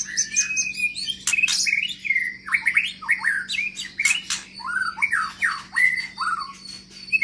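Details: Medan white-rumped shama with a long tail, kept in an open exercise cage, pours out loud, varied song of swooping whistles broken by sharp harsh chatter and clicks, with a constant low electrical hum beneath.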